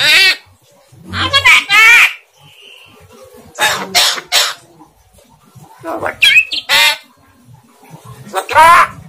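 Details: Javan myna (jalak kebo) imitating human speech, with the words unclear. Several speech-like harmonic bursts with shifting vowel tones, near 1.5, 4, 6.5 and 8.5 seconds, separated by quiet gaps.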